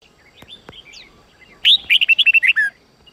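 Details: Red-whiskered bulbul from the Sông Kôn line, recorded for voice training in the 8-9-10 note style: after soft scattered chirps, a loud rapid phrase of about nine clear whistled notes, slightly falling at the end.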